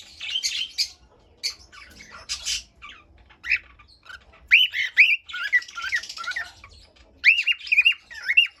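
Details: Cockatiel song from a pet bird: scattered chirps early on, then repeated arched whistled phrases rising and falling, answered by chattering, with a final series of quick looping whistles.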